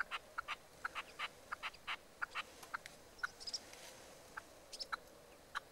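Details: Nightingale song from 12 March 2015, made of quick clipped notes in uneven bursts with a few thin, higher chirps between them, against a faint constant hiss.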